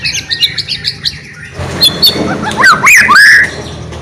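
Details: White-rumped shama in full, energetic song, used to prompt other shamas to sing: a quick series of short high whistled notes, then a louder passage of sweeping slurred whistles over a faint low hum.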